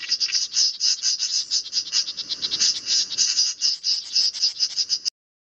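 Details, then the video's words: Great reed warbler at its nest mobbing a 3D printed common cuckoo decoy during a nest defense experiment: harsh, rasping, chattering pulses repeated rapidly and continuously for about five seconds, then abrupt silence. "Great reed warblers mobbing 3D cuckoo decoy"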